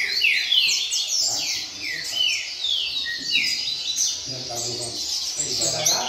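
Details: Rain song of a double-collared seedeater sung steadily: a string of sharp, high downslurred whistles, evenly paced at first, then denser chattering notes, with soft speech later.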